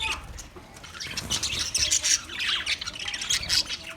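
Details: Budgerigar singing, a dense run of rapid chirps, squawky notes and warbles, busy and continuous with louder bursts near the middle and end.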